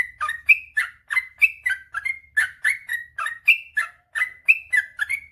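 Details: Yellow-vented bulbul pouring out ropel panjang song: clean, quick whistled notes alternating higher and lower, some sliding upward, in an even rapid series with a nearly quiet background.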